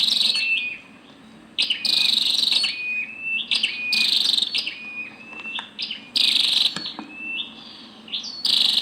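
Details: A female scarlet-backed flowerpecker gives rapid high chips and brief buzzy bursts, mixed with thin level or slightly sliding whistles, in uneven groups broken by a silent gap early on.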